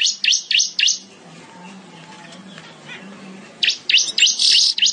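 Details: Weaver in gacor song: three sharp, buzzy high notes spaced about a quarter-second apart, a quiet gap with low background rumble, then a cluster of rasping chips and a short sizzle.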